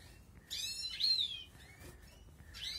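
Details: Outdoor-bred Balkan goldfinch at the start of 2020 breeding; a bright twittering burst followed by a clear descending whistled note, then a fainter phrase, with low hum in the background.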